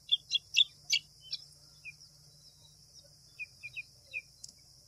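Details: Calls of a white wagtail, opening with four or five loud, sharp chirps in quick succession, then softer scattered high notes, all set against a continuous shrill insect drone.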